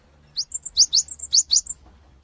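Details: A cinereous tit sings a lure phrase meant to get other birds responding: about eight sharp, high notes, upward-sweeping strokes paired with brief flat whistles, delivered evenly over just over one second against a quiet background.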